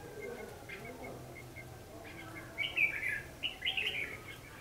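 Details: Red-whiskered bulbul fighting song used as a lure while trapping, 14 December 2015: short bursts of bright warbled notes in two clusters late in the clip, over a steady background hum.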